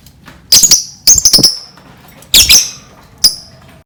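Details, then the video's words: Lovebird lure calls: a quick cluster of high, squeaky, chattering notes, then a louder double squawk and one final sharp chirp, harsh and shrill throughout. "Untuk Pancingan Burung lovebird"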